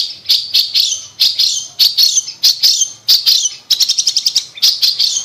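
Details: Long-tailed shrike (cendet) lure song for a silent bird: harsh, high, scratchy notes in regular bursts, then a rapid stuttering trill of clipped chips, then more rasping phrases.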